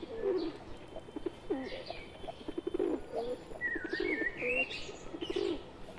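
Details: Pigeons, a tame pet bird mixed into a flock of wild ones, giving low throaty coos in overlapping bursts, with a few higher whistled, sweeping chirps from other birds in the background.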